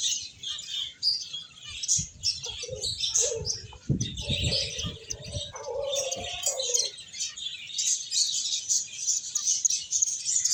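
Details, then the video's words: Finches playing and eating, giving many high, thin chirps and twitters overlapping in a dense chatter, with a few lower notes midway and occasional wing flutters or thumps. "Cute Birds Chirping Sounds | Beautiful Finches Playing and Eating"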